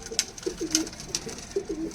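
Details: Low, burbling coos from Punjabi Malwai pigeons kept in Canning, West Bengal, India, three or four brief rolling notes interrupted by sharp clicks and taps.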